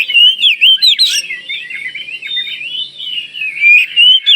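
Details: Oriental magpie-robin from Kalimantan in vigorous song meant to draw other magpie-robins into singing. Loud clipped whistles open the passage, a fluid sliding warble follows, and sharp notes return at the end.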